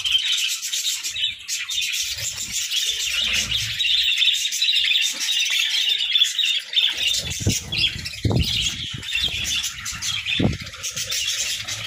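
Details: Several pet budgerigars (parakeets) chirping and singing during their daily routine: a dense, continuous high chatter of rapid twittering and warbled notes, with a few soft low thumps toward the end.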